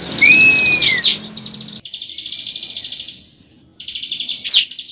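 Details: Bar-winged prinia fighting song used to provoke singing: a slightly arching whistle, then long high reeling buzzy trills with sharp chip notes, pulsing fast.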